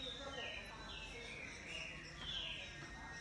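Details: Green-winged saltator singing very loudly: a run of clear whistled phrases that slur downward, one after another with almost no gap.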